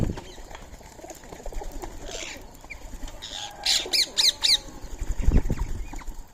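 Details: Wild Indian ringneck parakeets at a morning feeding of soaked rice and corn, 6:30 am in March; after rustling and a few soft notes, four loud, sharp screeches come in a steady row, followed by low thumps.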